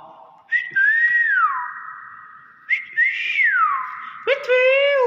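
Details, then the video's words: Common hill myna said to talk, mimicking "bakpao": two arching whistled phrases about two seconds apart, followed by a harsher, buzzier rising call, with people's voices and music around it. "Burung Beo Pintar Ngomong Bakpao"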